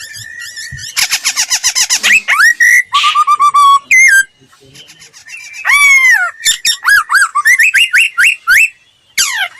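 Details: Laughingthrush singing as a standard lure for training bird voices: a very fast chatter of harsh notes, a short low trill, sweeping downslurred phrases, and a series of bright rising-falling whistles near the end.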